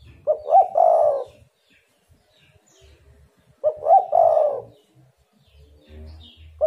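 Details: Spotted dove calling as a lure meant to make other doves answer: two mellow cooing phrases about 3.5 seconds apart, each a quick stuttered note then a longer purring, slightly falling coo, with a faint low rumble between.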